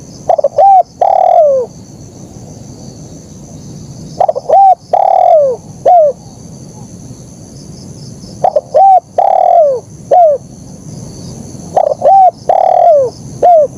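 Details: Spotted dove, KUK 1 style song, delivered energetically and clearly. Four repeated phrases about every four seconds, each a quick stutter, a level coo, a long falling coo and a closing slurred note. Low hum behind.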